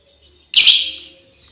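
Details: Single loud, raspy, high screech of a female lovebird calling her companions, about a quarter second long with a fading tail, otherwise quiet surroundings.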